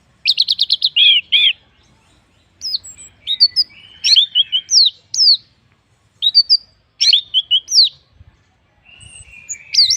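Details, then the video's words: Orange-headed thrush, kept as a lure bird to spur others into song: opens with a rapid trill of repeated notes, then scattered varied whistles and slurred phrases separated by short pauses, loud and clear. "pancingan Anis merah paling ampuh bikin burung lain ikut bunyi"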